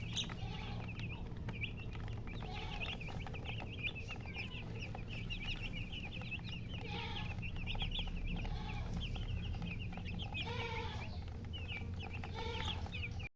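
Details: Chicken chicks accompanied by a hen give lively, high, repeated peeps, while the hen adds brief groups of deeper clucks several times over a low hum.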